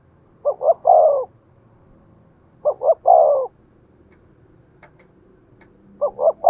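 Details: Spotted dove kept as a decoy bird, cooing in the style called giọng thổ: two short clipped coos followed by a longer rolling, wavering coo, the three-part phrase repeated roughly every two and a half seconds, with faint clicks between phrases.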